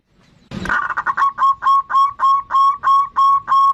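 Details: Zebra dove (perkutut) of the bodronoyo type singing actively, used as a lure to get other birds singing: after a brief noisy thump, about ten evenly spaced, rapid staccato cooing notes follow in a steady mid-pitched run.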